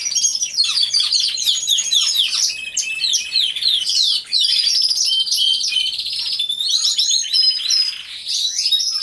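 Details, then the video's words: Several canaries singing together in an aviary, recorded by a hidden camera: a dense, continuous chorus of high trills, rapid chirps and rolling warbles, overlapping voices with barely a pause throughout. "CANTO DE CANARIOS | AVIARY SOUNDS (SONIDO REAL DE UN AVIARIO DE CANARIOS)"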